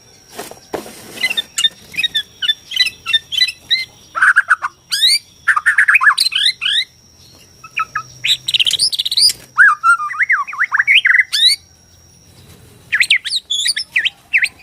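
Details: Borneo white-rumped shama singing a song meant to provoke rival shamas into answering and fighting: rich, varied whistled phrases sweeping up and down, with rapid chips and trills in dense bursts, a pause near twelve seconds, then more fast notes.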